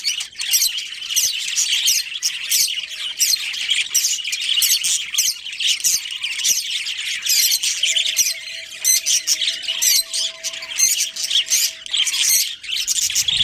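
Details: A colony of budgerigars including a breeding pair keeps up a long, unbroken stream of high, scratchy chirps and squawks, with a faint steady hum in the background.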